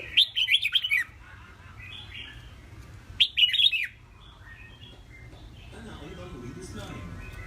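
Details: Red-whiskered bulbul kept in a cage as a competition songbird: two short, lively warbled phrases about three seconds apart, fluttering up and down, with faint softer twitters and a low background hum between them.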